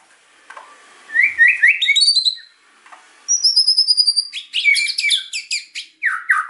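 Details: White-rumped shama song aimed at prompting quiet birds to sing, with a run of rising stepped whistles, a long high descending whistle, then rapid chattering trills and a falling slurred note; faint room hum underneath.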